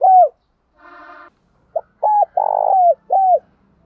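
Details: Spotted dove cooing, used as a lure to call a flock. A falling coo is followed by a brief harmonic buzz, then a full phrase: a short note, a clipped coo, a rolling purr and a drooping final coo.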